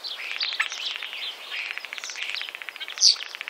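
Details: Common starling at Wittlich in 2017 giving harsh, buzzy rattling song, rapid pulses running together into a continuous grating chatter, then one loud, sharp squeak near the end, over steady background noise.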